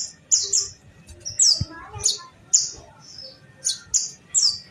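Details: Sunbird, the kolibri ninja of Indonesia, during a fighting duel: sharp, piercing high chirps falling steeply in pitch, given irregularly roughly once a second, with faint lower twittering and quiet background rumble.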